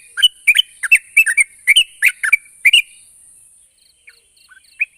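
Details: Yellow-vented bulbul song meant to make silent birds answer: about three seconds of quick, bubbling, slurred notes in close pairs, then a quiet gap with faint high chips and a final soft note.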